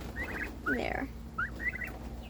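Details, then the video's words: Domestic pet turkey giving new calls while its sibling received more attention: quick clusters of short, high, rising yelps, a louder burst in the middle, and a woman's voice murmuring over the calls. "aster made new noises when emmie got more attention"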